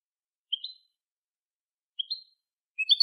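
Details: European goldfinch song used to train young goldfinches: two brief high upslurred chirps about one and a half seconds apart, then the start of a richer twittering burst, silent background.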